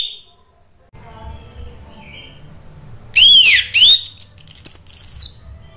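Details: Orange-headed thrush singing, played to coax a bird that has stopped singing: quiet soft notes over low hum, then loud arched whistles and a burst of high, scratchy, twittering notes.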